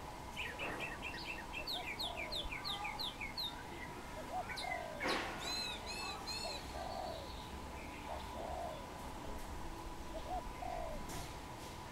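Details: Low mellow cooing from a wild dove sitting on a tamarind branch repeats through the recording, mixed with busy high-pitched chirping and trilling songbirds near the start and middle.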